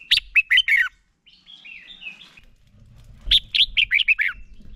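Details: Red-whiskered bulbul song meant to spur other bulbuls into singing: a quick burst of bright whistled notes, a pause with soft warbling, then another lively run of five or six loud, slurred, descending whistles.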